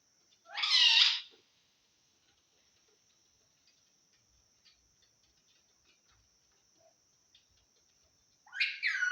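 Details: Assamese talking parrot giving two short raspy, harmonic-rich utterances about eight seconds apart, separated by near silence with faint clicks and a steady high hiss.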